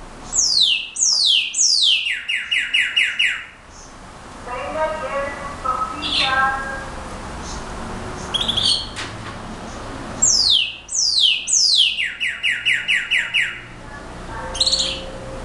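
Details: Two bursts of brown-backed solitaire song, each a series of about a dozen high, fluty whistles gliding downward in rapid sequence. Between them come softer, lower notes and a few isolated high tones.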